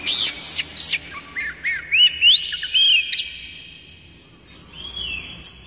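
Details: Kacer daput (Oriental magpie-robin) singing, a recording meant to coax other kacer birds into song and to tutor young ones: loud clipped chips at first, then rising whistled slurs and glides, fading to a quieter sweeping phrase.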